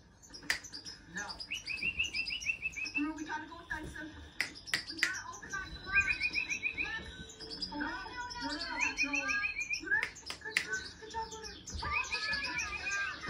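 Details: European goldfinch, tame enough to sit on a hand, singing bright twittering phrases of short chirps and trills with sharp clicks between them, while a person speaks softly nearby.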